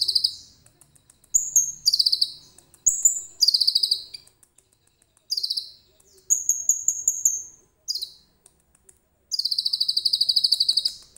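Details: Phone-recorded common iora singing its cililin-filled song: varied high, pulsed trill bursts and clear whistled slurs arrive in short phrases, ending with a long, even rattling trill.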